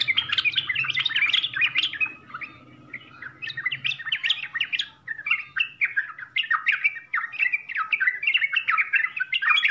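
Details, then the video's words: Full varied song of a Yellow-vented bulbul, meant to get novice birds replying: dense tumbling warbles with a brief quieter gap near four seconds, then lively chirping phrases resume, light low hum early on. "SUARA TRUCUKAN FULL ISIAN UNTUK PEMULA DIJAMIN LANGSUNG NYAUT, TRUCKAN SOUND FULL CONTENT"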